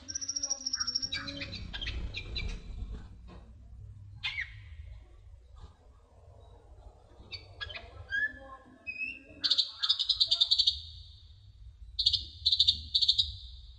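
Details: Sunbird song recorded as training material for other songbirds: varied high chirps and short twittering phrases, then loud buzzy trilled bursts near the end, over a steady low rumble.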